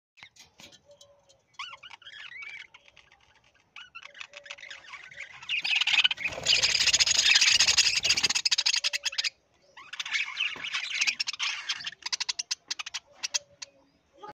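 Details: Pet talking parrot giving a run of harmonic chirps and squeaky notes, then a loud harsh broadband squawking burst lasting about three seconds, followed by more quick chirping phrases.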